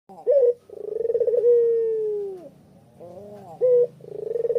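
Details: Spotted dove of the long-voiced puter pelung type, used as a lure to get other doves calling, recorded on an afternoon walk in Kuta, Bali: a short clear coo, a rolling purred phrase, a long falling coo, then another short coo.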